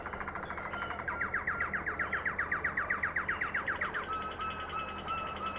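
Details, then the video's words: Domestic canary, a Harzer Roller or Malinois Waterslager, in Xanthi, Greece. It sings a fast, even series of low, pulsing notes, about four a second, that rise slightly and then flatten into a sustained whistled tone over a steady background hum. "Harzer Roller canary & Malinois Waterslager"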